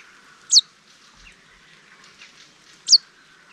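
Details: Common chaffinch parent gives two sharp, high alarm notes, each brief and slightly falling, about two seconds apart, over faint hiss. Recorded in May 2020 near Denisovo, Ryazan region, Russia, while fledglings that had just left the nest hid.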